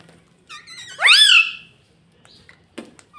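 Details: Talking ringneck parrot kept as a pet. A few soft, quick syllables lead into a loud, arching, harmonic phrase that rises, then falls away. Faint clicks and a low room hum sound underneath.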